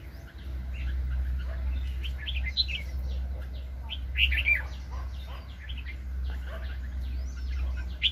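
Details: Red-whiskered bulbul at a 2020 trapping session featuring a lively wild-caught bird. Quick whistled and chirpy phrases repeat unevenly throughout, with several birds calling over a constant low rumble.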